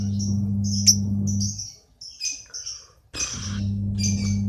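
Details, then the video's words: Lovebird from Kepanjen, Malang, East Java, singing in the nonstop konslet style: thin, very high chattering chirps run on in long strings over a loud low electrical hum. "Love bird bahadur KONSLET"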